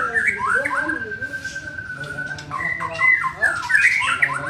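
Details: Young white-rumped shama in training: a held flat whistle, then tumbling slurred notes and a brighter rising flourish at the end, set against a low humming background.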